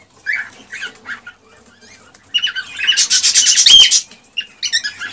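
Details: Excited male cockatiel song meant to stimulate a hen to mate: short chirpy whistles, then a loud extended harsh burst of rasping, squawking notes, ending with a few brighter whistled chirps.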